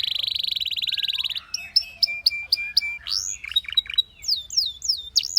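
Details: Belgian canary song opening with a fast bubbling trill, then spaced sharp chip notes and looping whistled slurs.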